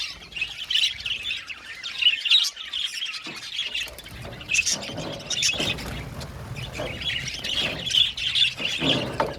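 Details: Budgies in an aviary colony with patchier calling: bursts of high squeaky warbling broken by short pauses and a few sharp squeals.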